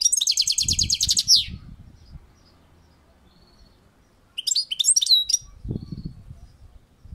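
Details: European goldfinch singing on a balcony: a high, rapid buzzy trill of repeated notes lasting about a second, then a pause and a burst of twittering, tinkling notes; low thumping noises underneath.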